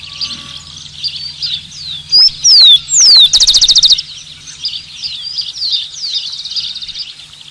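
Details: Zonotrichia capensis, the rufous-collared sparrow, gives a loud song of sweet descending whistled notes followed by a quick buzzy trill of rapid repeated notes, set against continuous twittering from many other birds.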